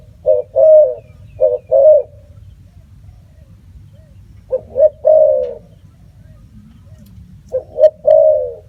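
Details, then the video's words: Repeated soft cooing of a spotted dove: three phrases of two short notes then a longer mellow coo, with a long quiet gap mid-sequence and a low background hum. "សម្លេងសត្វរលក . Bird sound spotted dove"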